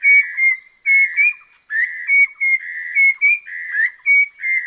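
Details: Repeated loud whistles of the orange-breasted laughingthrush, endemic to southern Vietnam's Langbian Plateau. Short flat and upslurred notes come in tight pairs and triplets, separated by brief pauses, with faint ticking beneath.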